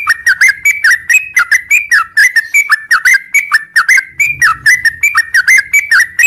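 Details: In the morning a sooty-headed bulbul delivers a long, unbroken ngropel song, a steady stream of loud, liquid, chuckling whistles repeated several times a second, with a soft low rumble partway through.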